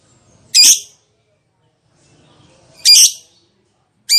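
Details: Lovebird giving loud, harsh, shrieking squawks, each short and rasping, spaced by long silent gaps of about two seconds.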